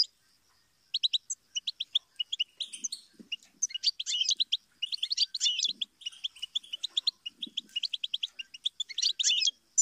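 A goldfinch sings a fast, tinkling twitter of high chirps and trills, in bursts with short pauses. Faint low thumps sit underneath.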